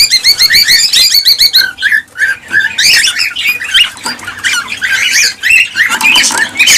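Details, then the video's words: Cockatiels in full chorus, used to trigger pairing and breeding: a rapid opening run of repeated chirps, then mixed harsh squawks and rising whistles from several birds. "حفز طيور الكالوبسيت(الكوكتيل) على التزاوج والإنتاج بهذا الصوت القوي"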